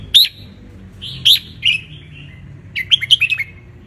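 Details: Ratchaburi red-whiskered bulbul, wild and basking in the sun, used to teach young birds; sharp bright notes followed by a fast rippling run of chirps, clear and close.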